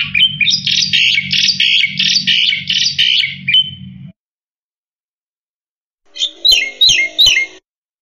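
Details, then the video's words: Energetic Black-winged myna song intended for tutoring other songbirds: about four seconds of dense, scratchy chattering phrases, then after a silent break a quick series of four buzzy, metallic notes with faint clicks, a low hum underneath. "Suara Burung Jalak Putih Gacor Full Isian Untuk Masteran"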